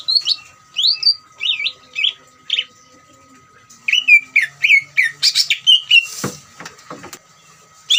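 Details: Greater green leafbird, a caged bird kept for training, singing a ngeriwik trill meant to provoke other leafbirds into singing: varied whistled notes, some looping and some dropping, in loose bursts with short pauses, plus a steady faint hum.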